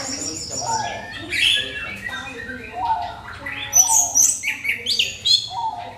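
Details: Orange-headed thrush pancingan song to stimulate other birds, fast changing whistled phrases with high, sharp notes and sliding lower tones, loudest in a burst near the fourth second.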